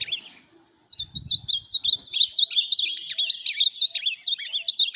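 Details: A soft note comes first, then a brief silence, then an Ultramarine grosbeak from song tournaments breaks into a lively, unbroken warble of sharp, high, bouncing notes. A few low thuds sound near the start.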